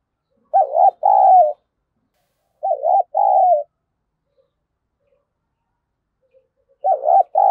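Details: Spotted dove calling to entice wild doves. Three mellow phrases, the first two close together, each a quick doubled coo followed by a longer hollow note. Near-silence between them.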